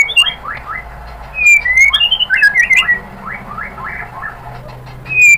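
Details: White-rumped shama singing as a lure to excite a shama into responding: a varied run of sharp whistles and slurred notes, some descending, delivered in quick loud bursts with pauses between.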